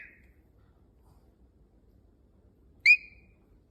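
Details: A pet cockatiel that is being taught to whistle gives a short, clear whistled note, preceded by the tail of an earlier one.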